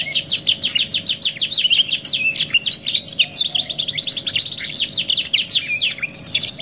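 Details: Luxury canary 'masteran' song, 2 in 1, intended for training other canaries: dense chattering series of quick downward-slurred notes, shifting into a rolling trill mid-phrase and back again, loud and sustained, with a faint hum beneath.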